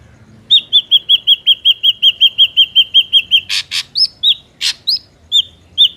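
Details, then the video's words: Ashy drongo song used to lure birds into traps: a long, steady series of about fifteen high whistled notes, followed by harsh rasping bursts and a few sliding whistles. "PANCINGAN SUARA BURUNG SRIGUNTING AMPUH"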